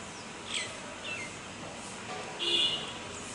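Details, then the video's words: Common (Indian) myna giving a few scattered high chirps and a slurred falling note, then a harsh, buzzy grating call, over steady background hiss. "గోరింక అరుపులు - సందడి - Sounds of Indian Myna"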